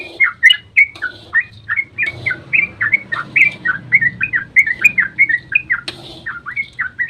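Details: Dawn 'ropel' of a yellow-vented bulbul, played to make other birds respond: crisp, rising-then-falling whistled notes in quick sequence, briefly pausing, then resuming, over a faint low background murmur.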